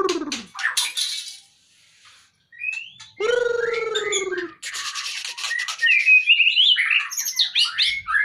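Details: White-rumped shama kept in a cage, lifted out to lose fat, gives harsh descending notes, a pause, a long buzzy drawn-out tone, then a rapid jumble of sharp whistles and chatter.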